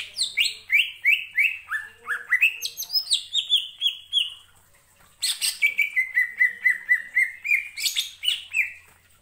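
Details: Gacor ngentrok song of a greater green leafbird for stirring other birds to sing: lively rapid phrases of slurred whistles and chips, a short pause, then a steady run of quick repeated notes.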